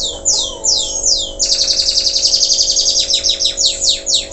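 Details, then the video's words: Post-moult local canary in vigorous song: a few slow falling whistled sweeps give way to a rapid, even trill of repeated notes, about five per second, with a faint hum beneath. "Kenari lokal selepas mabung,,Masih Aja Gacorr"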